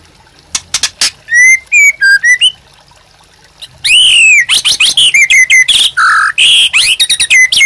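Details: Captive white-rumped shama in full vigorous song, used to spur other birds and as a master song for training: a short silence, then a sudden burst of loud clear whistles, upslurred phrases and harsh chattering notes in rapid succession.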